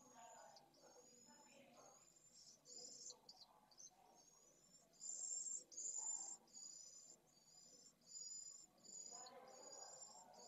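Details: Pallid swift chicks begging for food at the nest, filmed by a live nest camera in Jerez de la Frontera, Spain, on 8 September 2022: high, thin buzzy notes repeated in quick bursts, with soft low rustling beneath.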